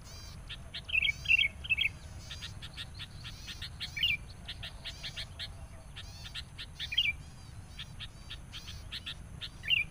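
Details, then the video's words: Sooty-headed bulbul worked up by a rival during bird trapping with a decoy: a cluster of three bubbly notes, then single slurred calls spaced a few seconds apart amid dense sharp chirping. "PIKAT KUTILANG NGAMUK NGOTOT. SAAT BERTEMU LAWAN.."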